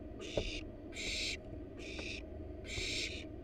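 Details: Barn owl nestlings in a wild, monitored nest box while the parents bring in a rat: four breathy, noisy hissing screeches of uneven spacing, each under half a second, with soft knocks and a steady low background hum.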